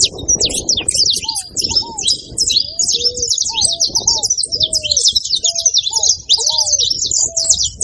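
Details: High, tumbling chatter of a saffron finch: quick, sharp chirps run together without pause, while separate, lower, arched whistled notes sound intermittently underneath. A soft murmur sits in the background.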